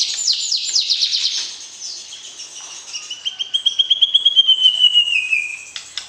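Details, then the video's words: White-rumped shama singing to arouse the opposite sex during pairing before entering a breeding cage; a fast burst of high repeated chips, then a long clear whistle sliding slowly downward. "PERJODOHAN Murai Batu, PANCING Birahi Lawan Jenis"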